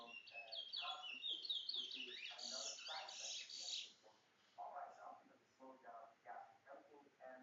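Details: Chestnut-bellied seed-finch, called towa towa, in a bringle bird associated with Guyana: a fast, warbling stream of high chirps and trills runs about four seconds. Low speech fills the rest.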